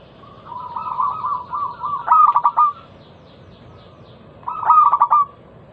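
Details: Zebra dove, local type, in a crystal-clear lure song for setting off other doves: a wavering low coo swelling into a burst of rapid pulsed notes, repeated once more after about two seconds.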